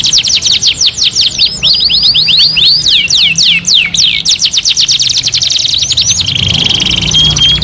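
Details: Singing canary delivering quick runs of sharp repeated chips, then looping slurred whistles, then another rapid chip series, ending on a steady sustained whistled tone; continuous and loud throughout.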